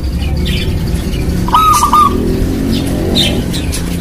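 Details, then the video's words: Local Indonesian zebra dove (perkutut lokal) singing actively, used as a lure to get other doves calling: a single short cooing phrase with a stuttering, bubbling middle, over steady low rumbling background noise and faint higher chirps. "Perkutut Lokal Gacor Buat Pancingan"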